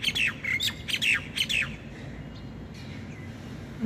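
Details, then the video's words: Myna in Taiwan in full voice: a lively series of squawky, grating notes, some falling in pitch, repeated roughly twice a second for about two seconds before quieter background noise. "burung jalak ditaiwan gacor"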